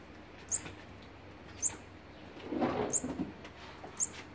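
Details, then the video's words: Olive-backed sunbird at the nest on day 16 of feeding young, 3 October 2019: four sharp, very high chips about a second apart, with a muffled low rustle or knock in the middle. "นกกินปลีอกเหลือง (Olive-backed Sunbird) ป้อนอาหารวันที่๑๖"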